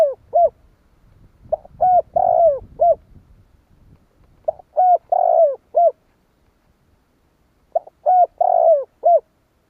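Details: Spotted dove calling to draw responses from other doves: repeated phrases of low, hollow coos, each phrase of four or five notes with a longer central coo, repeated about every three seconds over a quiet background.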